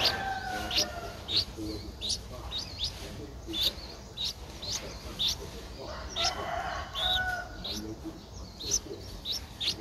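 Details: Streak-eared Bulbul nestling, 11 days old, a very common resident recorded in Ubon Ratchathani, Thailand, on 13 April 2023; short high chirps and squeaky notes repeated irregularly, with a steady low background hum.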